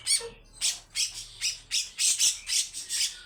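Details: Grey-cheeked bulbul singing in the long, rough 'besetan' style: harsh, hissing bursts repeated about every half second, each a broad buzzy rasp, with one lower whistled note early on.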